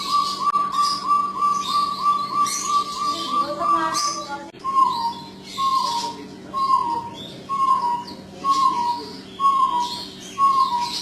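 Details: Persistent calling of a jungle bush quail. A run of quick whistled notes gives way to evenly spaced, falling whistles about once a second, over constant high twittering from other birds.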